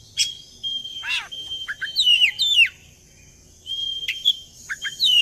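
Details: Oriental magpie-robin lure song to make birds join in: long level whistles interrupted by a harsh descending rasp, sharp falling slurs and clipped chirps, repeated in short bursts, with low background rumble.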